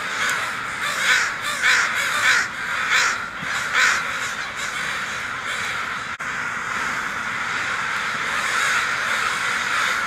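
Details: Several harsh, hoarse caws stand out near the start, spaced about half a second apart, over a steady background of many crows calling as the flock flies off.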